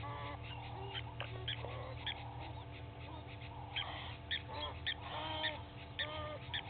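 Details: Fighting Egyptian geese, two families, at Gowrie dam on Djuma Game Reserve, South Africa, at dawn on 18 April 2019. Short hoarse honks repeat nearly twice a second, with a low steady hum underneath.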